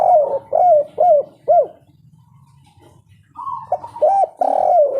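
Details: Spotted dove in vigorous 'kuk 3' cooing, meant to lure silent birds into song: four quick, deep, hooked coos, a pause with low rumble, then a rising tone leading into more coos and a long sliding note.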